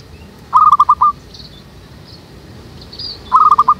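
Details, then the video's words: Lure zebra dove for dove trapping, in a jackfruit tree behind a house. It gives a rapid stuttering run of five or six mid-pitched notes ending in a longer one, then the phrase starts again. Faint high chirps are heard. "PIKAT BURUNG PERKUTUT DI POHON NANGKA BELAKANG RUMAH ZEBRA DOVE TRAPP"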